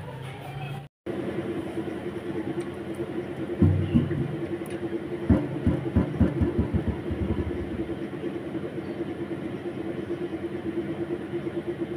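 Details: Low, steady rumbling with a run of rhythmic clacks, like a passing train or vehicle, and no clear animal voice.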